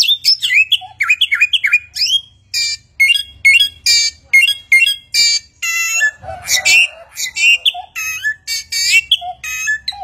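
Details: Chinese hwamei (samyong) song of many imitated sounds: quick bursts of sharp, high chirps and whistled slurs, some short notes repeated in runs, then a rougher harsh burst midway before bright whistled phrases resume.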